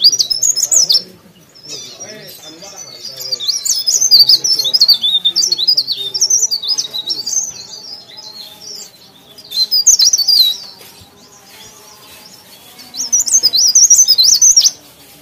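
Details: Leaf warbler (cikrak daun) singing actively: bursts of high, thin, fast twittering phrases, each about a second long, with pauses between and a faint low hum beneath.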